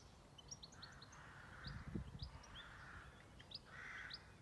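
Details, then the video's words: Small birds chirping on a farm, their short, high notes repeated rapidly, while softer, harsher calls come and go in the background and a brief thump is heard. "Nature and peaceful sound of Birds"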